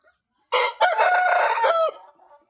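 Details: A single crow from an Índio Gigante rooster: a brief first syllable, a quick break, then a drawn-out, steady, strongly harmonic note held for over a second before cutting off, with faint background sounds afterward.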